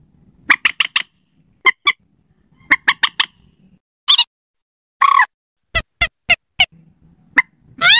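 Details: Slaty-breasted rail lure recording suited to night: bursts of rapid clipped notes in threes and fours, interspersed with harsh drawn-out squeals.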